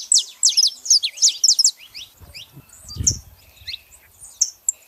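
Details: A female and a male saffron finch: a rapid, loud string of sharp downslurred chirps for almost two seconds, then quieter scattered notes over a brief low thump.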